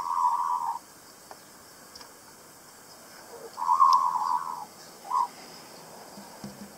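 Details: Wild kaka, a native parrot, on Stewart Island south of New Zealand's South Island, giving harsh, drawn-out grating calls, each lasting under a second, separated by quiet gaps.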